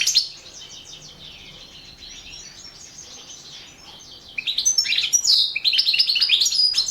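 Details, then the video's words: European goldfinch singing in a Balkan goldfinch song championship entry: high twittering phrases, quieter at first, then louder rapid chirps and trills in the last few seconds. "Pesma štiglića 002/ 2017 Ivana Mladenović World championship in Goldfinch Song 2017"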